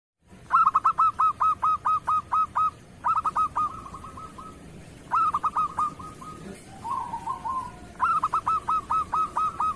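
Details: Local zebra dove singing in the raspy kerot style, a training song for other doves. Four bursts of clipped, hooting notes sound in quick succession, each followed by a short trailing trill. Low background rumble.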